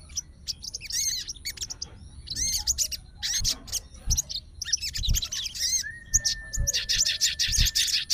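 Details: Sooty-headed bulbul, a fighter bird responding to bulbul sounds to call an opponent: scattered clusters of sharp chirps and curved slurs, a thin steady whistle mid-way, then a quick dense run of notes, with occasional thuds.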